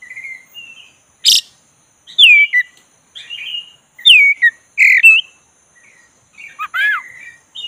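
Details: Oriental magpie-robin of the black-breasted form in varied song, played to provoke an unmotivated bird. Loud swooping whistles and rising slurred notes alternate with softer chatter. A sharp click is heard early on.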